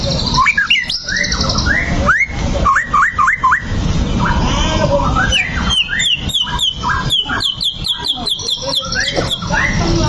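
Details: Provoking song of a white-rumped shama, played to rouse a fighting bird: varied whistled phrases with looping, hooked notes, ending in a quick run of bright repeated high notes, over steady low background noise.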